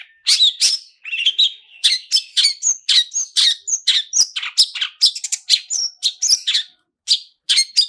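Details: Long-tailed shrike singing fast and continuously, its song full of mimicry, played to provoke singing: a rapid run of sharp high chips and short whistles, nearly without pause, with one brief gap near the end.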